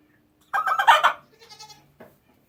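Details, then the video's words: A hen found backed up and unable to poop makes sick, weird sounds: a loud, harsh, strained squawk, then a fainter wavering cackle and a short final squawk. "Sick chicken sounds"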